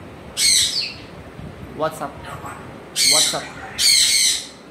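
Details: Pet African grey parrot giving loud, harsh squawks in long bursts, separated by short speech-like mimicked notes, with a person talking to it.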